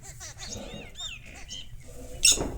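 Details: Mynas fighting in a village give a rapid jumble of harsh squawks, chattering notes and bent whistles, ending in a loud grating screech.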